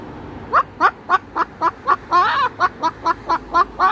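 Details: Pet Moluccan cockatoo at home raising the alarm at a magpie that landed on the roof: short, clucking bark-like notes repeated about four times a second, with one longer, harsher burst midway.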